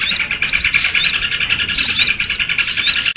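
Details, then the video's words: Noisy sooty-headed bulbul call for trapping lures: constant harsh chattering with quick rising whistles, swelling in three louder bursts over about three seconds. "SUARA PIKAT BURUNG RIBUT || KUTILANG RIBUT || UNTUK PIKAT BURCIL"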